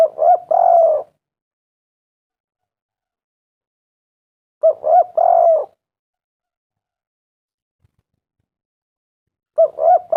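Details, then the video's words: Lure recording of a vigorously calling spotted dove. Its repeated coo phrases come roughly every four and a half seconds, each a couple of short hoots followed by a sustained, softly wavering coo, with clean silence between them. "tekukur derkuku gacor suara mantab"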